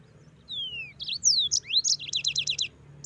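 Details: A thin falling whistle leads into looping high notes and then a quick series of repeated chirps from a singing yellow-fronted canary, with a quiet hum underneath.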